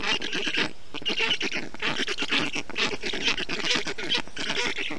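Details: Black stork young in a nest in Estonia on 20 June 2021, being cooled by their father with water and wet grass in hot weather. They give a steady chorus of rough, hissing, overlapping calls.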